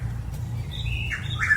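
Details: Chuck-will's-widow singing loudly in a St Petersburg, Florida neighbourhood in spring, in the middle of the night or early morning: a brief burst of clear whistled notes that step down, then rise sharply, over a steady low hum.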